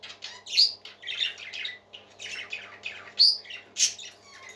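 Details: Singing pet parakeets, continuous raspy chatter with a few bright whistled notes and loud squeaky squawks rising out of the flow.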